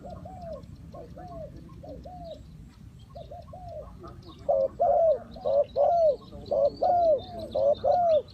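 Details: Decoy spotted dove calling wild doves during trapping. Quiet distant coo pairs give way midway to loud, close, rhythmic croo phrases repeating about once a second.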